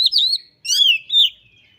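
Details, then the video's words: Caged white-rumped shama (kacer) giving a short sequence of clear, drawn-out whistles that slide and waver, with one harsher layered note in the middle. "Burung Kacer Gacor Ngobra Suara Menggila Bongkar Isian"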